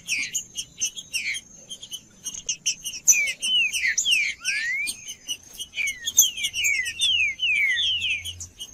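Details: Cold trinca-ferro (green-winged saltator) song used to warm up a quiet bird: strings of clear descending whistled slurs, one long upward sweep near the middle, delivered in rapid bursts over a constant faint high-pitched tone.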